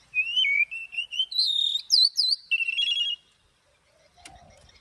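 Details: Oriental magpie-robin in forest-voice morning song with long notes, for training birds: a series of clear sliding whistles, then upward-hooked notes and a chattering trill over three seconds, followed by quiet and a single click.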